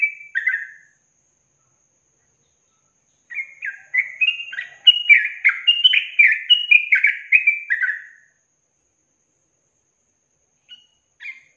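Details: Long-trill training recording of a yellow-vented bulbul for songbirds: after an initial note and a pause, a five-second outpouring of fast, gurgling whistled notes, followed by quiet and a faint final chirp.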